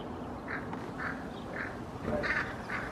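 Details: Park in Helsinki, Finland, 8 May 2024: hooded crows try to drive away a common raven. Brief, muffled caws repeat about every half second, the last pair harsher.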